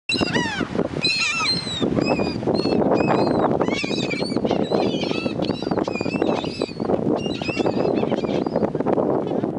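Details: Gulls (seagulls) being fed on a beach in Key West, Florida, give a crowd of overlapping squealing, mewing cries that rise and fall, with people murmuring beneath them over steady outdoor rushing noise.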